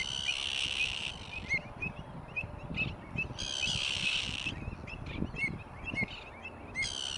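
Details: Greater flamingos at South Atanasovsko Lake in Bulgaria, July 2020, monitored monthly: scattered nasal honking calls from a flock, interrupted by loud broadband hissing bursts, over a low rumbling background.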